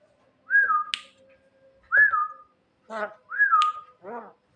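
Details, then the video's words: Javan myna calling its mate at night: clear whistles that rise then fall, each ending in a sharp click, alternating with harsh, nasal, harmonic-rich calls roughly every second. "burung jalak kebo gacor malam - malam panggil mamake cewe"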